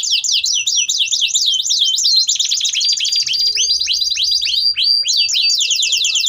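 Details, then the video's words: Long-running canary song played to teach juvenile canaries: fast zigzag trills, then a quick series of rising-falling notes, a brief steady whistle, and renewed rapid sweeping phrases, bright and continuous throughout. "Kenari Gacor Durasi Panjang || Ampuh Buat Pancingan Kenari Paud Belajar Bunyi"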